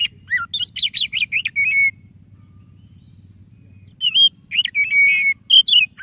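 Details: Energetic white-breasted Oriental magpie-robin song used to encourage a reluctant bird to sing: rapid rattling whistled notes ending in a drawn-out whistle, a quiet gap, then a renewed tumble of varied bright whistles, over steady low hum.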